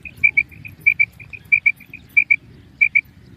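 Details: Calling female common quail (kirak), keeping contact with companions: crisp high double notes repeated about every seven tenths of a second, with softer single notes between the pairs, over a steady low rumble.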